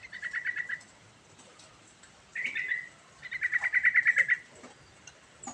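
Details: Yellow-vented bulbul in prolific rolling song, meant to stir a silent bird: a quick string of pulsed notes, a short buzzy chirp, then a longer accelerating series of bright repeated notes at steady pitch.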